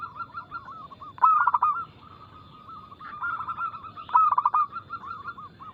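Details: Local zebra dove (perkutut) singing a fast, loud, crystal-clear anggungan song, used as a lure to make other doves sing. Two loud bursts of pulsed cooing, at about 1 and 4 seconds, with softer rippling coo notes running continuously between them.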